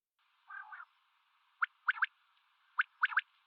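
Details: Common quail, male and female calling: one low rasping burst, then two sharp triple-note whistled phrases about a second apart, each a quick rising pip followed by two close notes, in a narrow, tinny band.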